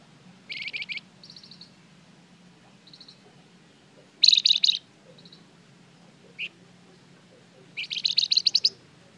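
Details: Lively flamboyan bird used as a lure for other birds: scattered bursts of fast high chirps, softer short phrases between, a single sharp note, and a long dense chattering run near the end.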